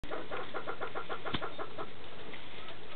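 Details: Male spruce grouse displaying in Canada: a rapid run of about fifteen evenly spaced, clucking pulses packed into under two seconds, then trailing off, over a steady low background hiss.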